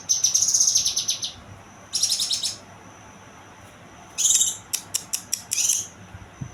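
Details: Young kinoy bird giving thin, high buzzy trills followed by a pause, then a burst of rapid sharp chips and a brief rasping phrase.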